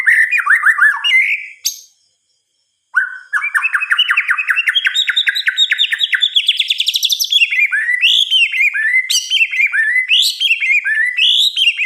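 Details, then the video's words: White-rumped shama singing at night: varied, rich phrases of rapid repeated notes climbing in pitch, with a brief pause, then fast trills and sweeping whistles. "Suara Kicauan "MURAI BATU" di Malam Hari"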